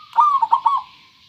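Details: A single short phrase from a clear-voiced local zebra dove, a high sliding note running into three quick purring coos, with a soft hiss behind.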